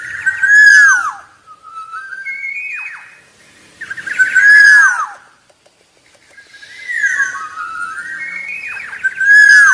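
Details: Black-naped oriole, with golden-yellow plumage and black head markings, gives repeated phrases of loud fluting whistles, slurred and arching, each about a second long with gaps between and slides up and down.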